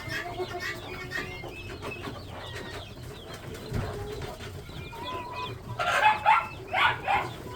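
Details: Farm-raised chicks calling together: steady, rapid, overlapping high chirps, often falling in pitch, rising to several loud, harsh bursts toward the end over a constant low hum.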